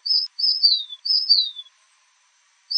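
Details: Sauveiro-do-norte, a Brazilian bird, singing high clear whistled phrases, each a steady note followed by a downward slur, two phrases close together, then a pause and a new phrase starting; no other sounds.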